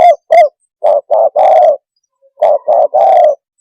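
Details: Spotted dove cooing to stir other birds up: two quick coos, then two three-note phrases of hollow coos ending in a longer rolling note, separated by a pause of about a second.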